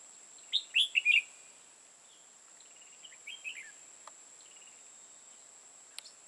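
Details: Caged decoy red-whiskered bulbul used for trapping in Hòa Bình, Vietnam. It sings a bright, rapid phrase of four liquid notes, later answered by a quieter, softer warble. There are a few sharp clicks and a steady high whine.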